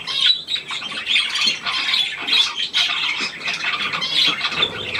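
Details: Australian pied budgerigar, hand-tame and new, 17 February 2023: loud, busy, high squawky chatter, rapid clicks and squeaks running together without a break.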